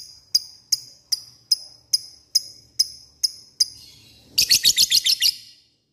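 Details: Lovebird lure recording meant to call out and provoke rivals: sharp, high chips repeated about every half second, then a short burst of rapid ngekek-style chattering trill at the end.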